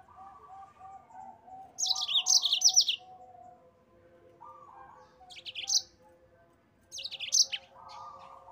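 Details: Yellow-fronted canary, a master for training cage birds, giving short scattered bursts of high twittering notes, separated by pauses, over softer lower, steady tonal calls from the background.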